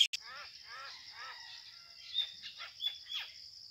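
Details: Common myna pair quarrelling in rural Bangladesh in early May at 6 pm, fighting to take over a date palm hollow for nesting. Three harsh, arched, descending notes are followed by scratchy chatter over a steady insect drone.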